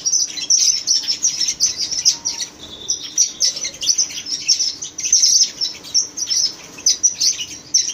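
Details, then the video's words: Red-rumped parrots chirp constantly, with high, sharp, overlapping notes in quick bursts, as if from several birds at once, over a faint background hum. "Chirping Red Rump parakeets"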